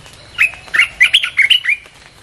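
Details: Red-whiskered bulbul song played to lure wild birds: a lively burst of about seven loud whistled notes, slurred up and down around the middle of its range, delivered within a second and a half over a quiet background.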